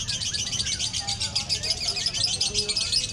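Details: Konslet-type lovebird song at a duel competition judging song quality: an unbroken, very fast, shrill buzzing chatter held high throughout, with a few thin whistles and low background hum.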